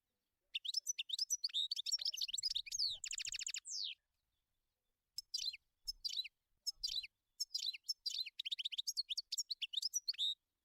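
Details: European goldfinch singing in the wild: a long lively twittering phrase with a fast buzzy trill, a one-second pause, then quick chattering notes and tinkling twitters continuing for five seconds.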